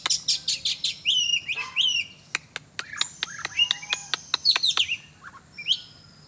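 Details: A kacer, oriental magpie-robin, being exercised sings rapid repeated chirps, buzzy slurred whistles and sharp ticking notes, ending with a few isolated upward whistles.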